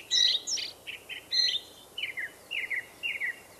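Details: Indigo bunting in the forest singing paired phrases: high sweet notes at first, then repeated pairs of falling notes spaced about half a second apart, with quiet hiss behind.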